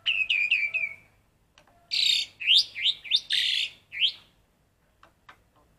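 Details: Black-collared starling in song, training its voice to copy a red-whiskered bulbul: a descending series of four sharp whistled notes, then a loud run of bright, rising slurred whistles, ending with a few soft clicks.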